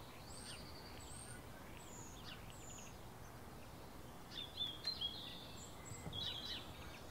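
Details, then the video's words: Flock of shiny cowbirds in Brazil: scattered high, thin whistled notes and short sweeping chirps, with a busier burst of overlapping squeaky calls after the fourth second, over steady low background noise. "Bando de Chupim (Molothrus bonariensis)"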